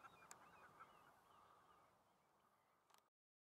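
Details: Common shelduck; calls; fighting during mating season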